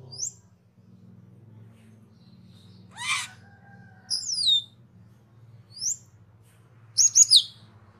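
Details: Cucak keling, a caged bird in a master recording for training other birds, gives spaced, thin, sliding high whistles and a rasping burst, with long pauses and a steady low hum behind.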